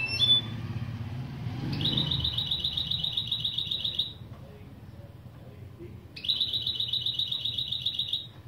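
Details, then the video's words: Goldfinch-canary hybrid mule giving opening song phrases for a lesson recording: two bright, rapid high trills, each lasting about two seconds, separated by a quiet gap of roughly two seconds, with a soft low hum beneath. "Saka Melezi Ön Çıkışlar"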